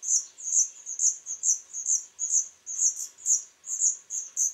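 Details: High, sharp chirping from a third brood of Black redstart nestlings raised by both parents, 21 July 2012; short bursts come roughly twice a second, steady and insistent.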